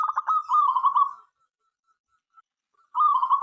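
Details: Local zebra dove song meant to prompt other doves to sing: a few quick clipped notes slide into a bubbling trill, silence, then a second trill starts.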